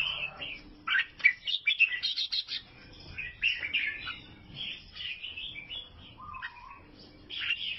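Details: Vietnamese albino sooty-headed bulbul giving a busy run of clipped, chirping notes, then looser warbled phrases with a short low whistle near the end.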